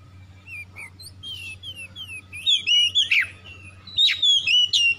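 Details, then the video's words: Oriental magpie-robin lure song to get silent magpie-robins singing: soft scattered whistles building into loud rapid bursts of slurred whistled notes and sharp strokes, background hum throughout. "PANCINGAN TERCEPAT KACER MACET BUNYI LANGSUNG GACOR"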